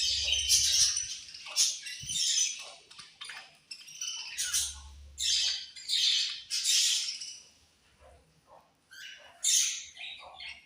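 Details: Feeding budgerigars chirp in loud, scratchy high bursts, some clustered, others spaced by quiet gaps, with soft low thuds early on.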